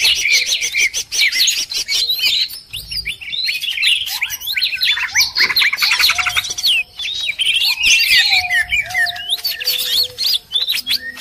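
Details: Noisy calling of cucak ijo, mixed to lure birds: dense, busy chatter of overlapping high whistles, fast trills and sharp upslurred and downslurred notes, almost continuous with brief pauses, several voices at once.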